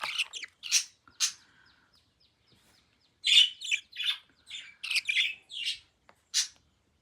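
A young budgerigar gives harsh, raspy chirps in quick bursts with brief pauses between.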